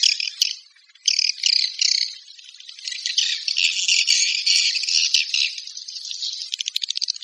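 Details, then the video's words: Swiftlets give rattling, buzzy chirps that start in spaced bursts, then merge into a dense twittering stream ending in fast clicks. "Suara Walet Panggil"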